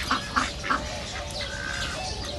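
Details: Three loud, evenly spaced quacks ring out from ducks at a reserve, followed by fainter drawn-out calls and chatter from the rest of the flock.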